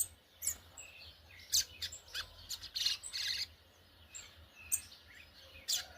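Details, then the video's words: Churrio from a brown-plumaged Yellow-bellied Seedeater, with bright high chirps and short buzzy trills spaced irregularly, a denser cluster in the middle, and a low background hum. "Coleiro Baiano pardo churrilhando"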